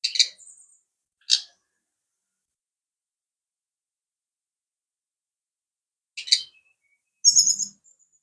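A brown-chested jungle flycatcher gives four brief, high, twittering bursts: two close together, a long silence, then two more, the last a quick run of bright notes.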